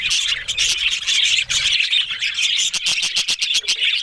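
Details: Loud budgerigar chatter: these Australian parrots give a dense run of scratchy warbles, then a series of rapid clicking ticks in the final second and a half.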